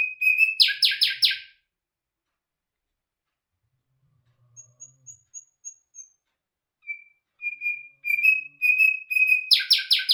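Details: Bulbul hazar dastan, or nightingale, opens with loud buzzy clicking strokes, pauses, adds thin high notes, then a row of steady whistled notes swelling into another harsh buzzy burst.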